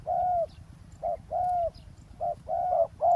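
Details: Roadside decoy trapping of a wild spotted dove on the ground; steady hollow cooing, a brief note then a long slurred coo, pairs coming in quick succession against a quiet background.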